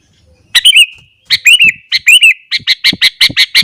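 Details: Sooty-headed bulbul singing frantically in the morning, a recording meant to rouse other bulbuls. After half a second of quiet come loud, chirpy, bubbling phrases, then a fast run of sharp repeated notes in the last second.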